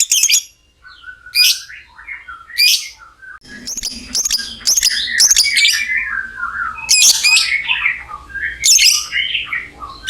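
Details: Lovebird giving a long trilling chatter (ngekek panjang), used to stimulate other lovebirds to sing; loud harsh, squeaky bursts sweeping downward, repeated every second or two, with a brief quiet gap early on and faint room hum.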